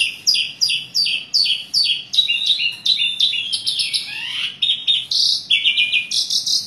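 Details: A chatty Asian pied starling, used as a lure to get reluctant starlings singing, sings a fast run of sharp repeated chirps, about three a second, then shifts into varied squeaky warbles with many phrases and a falling whistled slur.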